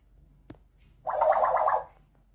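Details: Captive African grey parrot, a mimic known to imitate the dishwasher beep very loudly, giving a loud, rough, gargling burst of just under a second after a single sharp click.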